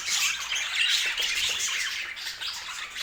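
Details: Several colourful pet budgerigars chirping at once: rapid, jumbled high squeaks and warbled notes, about three or four a second, forming a steady bright chatter throughout.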